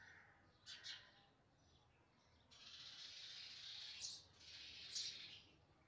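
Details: Baby house sparrows begging during feeding: two short scratchy chirps, then a long hissing, wheezy stretch broken by sharper squeaks, over soft background noise.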